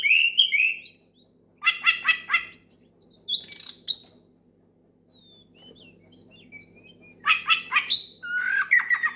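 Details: Oriental magpie-robin singing loud challenge phrases meant to draw a rival and set others singing: short whistled bursts and scratchy chattering notes separated by silent gaps, ending in a denser mix of rasping and whistled notes.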